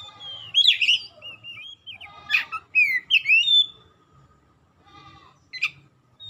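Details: Lure song of an Oriental magpie-robin meant to set quiet birds singing. Rich slurred whistles and scratchy chattering phrases come in two bursts, followed by near silence, one short harsh note, and a constant faint hum.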